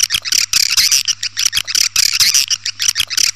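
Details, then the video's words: Swiftlet calling sound used to draw in birds: harsh, buzzy twittering bursts alternating with short clicking chirps, repeating in a fast irregular rhythm, with a faint low hum beneath. "Suara burung walet panggil"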